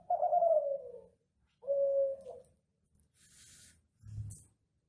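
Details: Indonesian-bred Kelantan ringneck dove giving classic master coos to stimulate other doves: two long, mellow coos sliding gently downward, followed by a hiss and a dull knock.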